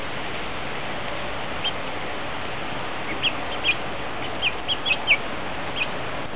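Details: A few short, sharp chirps from a group of grosbeaks feeding together on New Year's Day 2010. The notes come mostly in the second half, against constant background noise.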